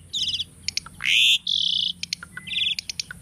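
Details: Pet Asian starling singing diligently as a training song: trilled chatter, a loud upward-sweeping note merging into a steady buzzy tone, then clicks and another trilled burst.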